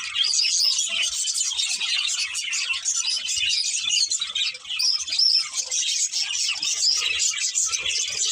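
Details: Pair of breeding budgerigars warbling and chirping, a lively run of sharp high tweets and buzzy chatter with a short dip in loudness midway.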